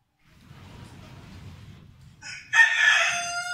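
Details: Vorwerk chickens, a German breed, rooster and hens: low murmuring background noise, a short rising note, then a loud, harsh, sustained crow filling the last second.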